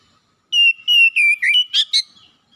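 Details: Oriental magpie-robin song used as a lure to prompt a bird that is reluctant to sing: six loud, clear whistled notes, the first long and level, then shorter slurred and rising notes, ending in two sharp upward sweeps.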